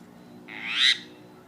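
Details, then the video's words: Myna kept near a cat, one harsh, buzzy, rising screech lasting about half a second, sharp and loud against a quiet background. "burung jalak bisa ngomong"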